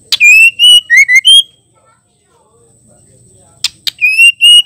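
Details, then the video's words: Female white-rumped shama voice for exciting males: a fast phrase of bright whistles dipping and rising, a pause, then clicks and another whistled phrase. "Murai batu betina gacor ampuh bikin jantan emosi"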